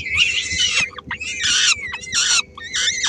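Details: Young peregrine falcons, three weeks old, beg as the female feeds them at a nest in Helmond, Netherlands; raspy, wailing screeches in four quick bursts, each dropping slightly in pitch.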